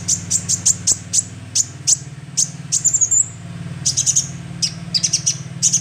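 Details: Lure recording of a young sunbird: rapid high-pitched chips at first, then a short rising thin whistle and denser clusters of sharp chips, with a continuous low hum beneath.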